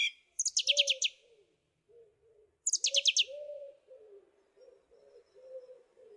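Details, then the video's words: A song thrush sings two bursts of rapid, descending high notes, with a low, steady droning hum running underneath through the rest of the recording. "Song Thrush Singing"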